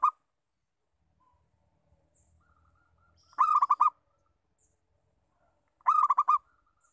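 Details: Local zebra dove repeating its lure call. Rapid bursts of staccato, rolling coos come roughly two and a half seconds apart. Soft level whistled notes and faint high chirps sound in the pauses.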